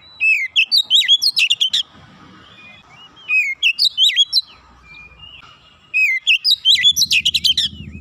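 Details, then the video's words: Oriental magpie-robin (kacer), a young untrained bird, in a 'nembak rapat' style song meant to get birds singing: three bursts of loud swooping whistles and rapid ticking notes, each about two seconds, separated by short pauses. "terapi Kacer bahan cepat gacor nembak rapat"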